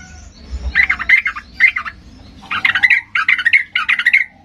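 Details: Agitated sooty-headed bulbul singing to provoke silent birds into replying; bursts of chattering, bubbly phrases in short groups separated by brief pauses, with low hum underneath.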